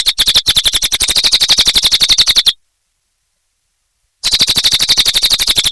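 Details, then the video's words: Fast, high chirping song of a cililin bird, a dense string of sharp repeated notes, breaking off for nearly two seconds before resuming at the same rapid pace. "Suara Burung Cililin Gacor Durasi Panjang"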